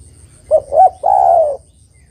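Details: A female spotted dove calls for the male with a single three-part coo: two quick hooting notes, then a sustained throaty purr sliding slightly downward. A faint high whine and low rumble run throughout.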